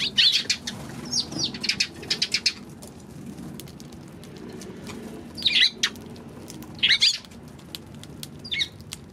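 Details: Eurasian tree sparrows on March 16. Bursts of bright, rapid chirps in clusters, with a loud group of chirping in the first two and a half seconds and further short chirp bursts later, over a steady low background hum.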